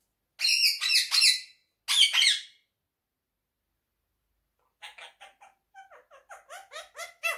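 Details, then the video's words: Pet quaker parrot indoors giving loud, harsh squawking bursts, then a long pause, followed by quieter rapid chattering syllables repeated in quick succession. "quaker Talking parrot || speaking so lovely"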